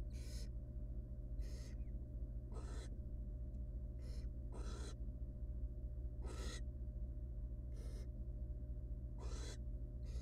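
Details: Nestling barn owl, wild, in a monitored nest box as its mother helps it eat a large rodent; a steady series of about ten harsh, wheezy screeches, irregularly spaced, over low hum.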